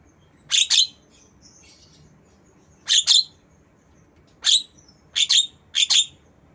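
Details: Black-winged myna mimicking a lovebird delivers harsh, piercing chirps mostly in quick doubled pairs. There are five bursts over several seconds, with faint twitters between them.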